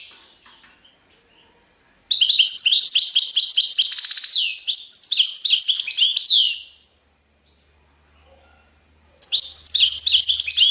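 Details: Serfati tiwawati song of a European goldfinch: after a soft start, a long, loud sequence of rapid high twittering and slurred whistles, a pause, then more song with a faint low hum beneath.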